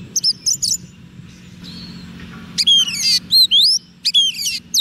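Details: White-rumped shama song used to call wild birds: loud whistled notes sliding up and down, sharp high chirps and rapid buzzy trills in short bursts, with quiet gaps and a faint low hum beneath.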